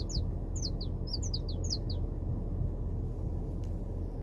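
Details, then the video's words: Wild saffron finch giving a quick run of about nine sharp, high, descending chirps in the first two seconds, then falling quiet against constant low-pitched background rumble. "CANÁRIO DA TERRA NA NATUREZA"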